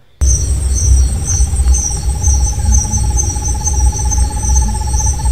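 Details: Buff-fronted Owl singing at night in the Caatinga of the Alagoas sertão, Brazil: a long, fast, even trill of soft hooted notes, held steady and rising slightly in pitch over about four and a half seconds, over a constant high buzz of crickets and a low rumble.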